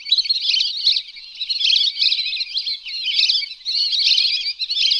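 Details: Hunting-lure calls of Lesser whistling ducks: a steady, thick wash of high whistled twitters from many overlapping voices, rising and falling slightly in loudness without any real pause.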